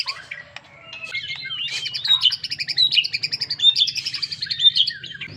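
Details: White-rumped shama delivering a long, rapid stream of sweet whistles and repeated twittering notes, getting louder midway, with a faint low hum underneath.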